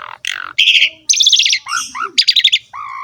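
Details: Training song of an Asian pied starling for young birds: harsh buzzy squawks, a pulsed rattling burst, short downslurred whistles and a closing flat buzzy note, loud and clean.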